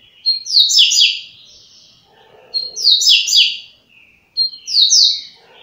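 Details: Coleiro (double-collared seedeater) singing the short, fast 'flash' style song, said to deliver 30 songs in one minute: three brief bursts of bright, buzzy descending notes, each opened by a thin whistle, repeated about every two seconds.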